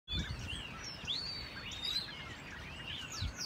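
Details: Common starlings singing in December on a field in South Bristol: overlapping slurred whistles, rising and falling, mid to high in pitch, over a steady low rumble.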